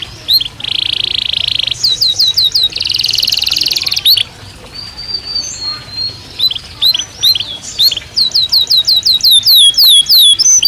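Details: Breeding-season canary in a cage: harsh buzzy rattles, a long steady whistle, then strings of rapid swept notes.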